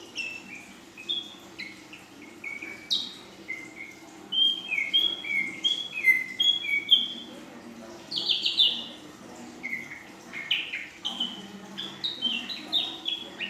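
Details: Ashy drongo, a young female, delivering a long full-isian song with 'nembak panjang' and 'belalang emas' phrases: varied whistled notes, slurs and short trills, a harsher rasping burst near the middle, then rising upswept whistles.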